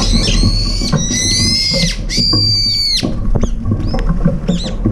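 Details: Brown-eared bulbuls, up to five gathered for a long-awaited breakfast and squabbling over food, give loud, squealing calls. Arched, sliding shrieks with bright harmonics come in dense bursts, with low rumbling background noise throughout.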